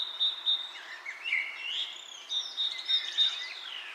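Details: Bright chirping outdoors: a fast, evenly pulsed high trill weaves with rising and falling whistled notes from other birds in a lively overlapping chorus.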